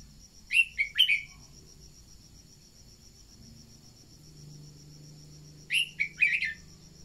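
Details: Red-whiskered bulbul decoy song, played so that newly caught birds are stirred to sing: two bursts of quick warbled, slurred notes about five seconds apart, over a steady high insect trill.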